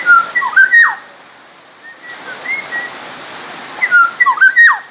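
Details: Black-naped oriole from Sumbawa singing actively: fluty whistled phrases of dipping and rising notes in a quick burst, a quieter sliding whistle midway, then the rich phrase returns near the end over a steady hiss.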